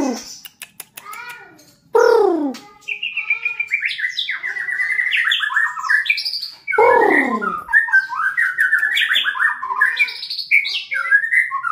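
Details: White-rumped shama undergoing mental training to become a fighter: quick dry clicks open, then two loud harsh falling notes frame a long run of varied, rapid whistled and trilled phrases jumping between low and high pitches.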